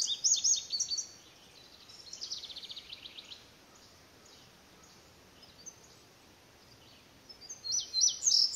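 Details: Indigo bunting repeatedly singing, reportedly in response to a house wren and other nearby birds; high paired notes at the start and end, with a softer fast trill in between and a long quiet stretch.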